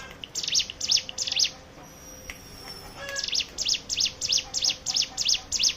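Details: Hill prinia singing as a lure for other songbirds; three shrill high chirps, a pause, then a fast even train of similar piercing notes.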